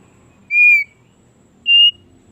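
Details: Thick-billed heleia giving two clear, steady whistled notes about a second apart, the second slightly higher and purer, in a quiet setting with faint low background hum.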